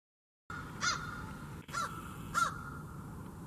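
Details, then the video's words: Crow calling while communicating with others: three short, harsh, clipped calls spaced irregularly over about two seconds, over a steady high tone and low background rumble. "More About Crows: And Two of their Calls"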